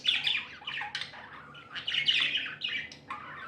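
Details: Happy pet budgerigars chattering: rapid scratchy chirps and short whistled notes tumbling together, with a brief lull midway before the busy warbling resumes.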